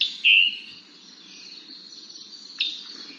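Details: Scarlet Tanager giving its chipper call, used especially when a little upset: a short, high, buzzy note near the start, then a sharp, high chip about two seconds later, over faint steady background hiss.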